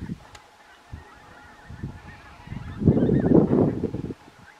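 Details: Pink-footed geese at Stiffkey, Norfolk, on 18 October 2020: scattered low honks build into a loud, dense burst of overlapping calls from a flock, then fade back to occasional calls.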